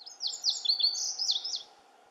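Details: One of several Lazuli buntings singing constantly at Camas Meadow delivers a high, lively song of paired sweet notes, downslurs and a buzzy rising phrase, about 1.5 seconds long, over a quiet low hum.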